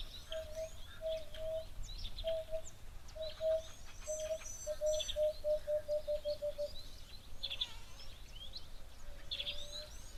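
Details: An emerald-spotted wood dove at an African waterhole on 13 February 2025 gives low, soft hoots that speed up into a quick tumbling run, then fade. Other small birds, likely starlings, chirp high above, with a low background rumble.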